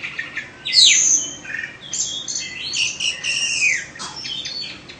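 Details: Caged Oriental magpie-robin of Indonesian stock, two seasons old, singing a varied phrase of sweeping whistles, a bright descending slur and scratchy high notes, with quieter twitters between.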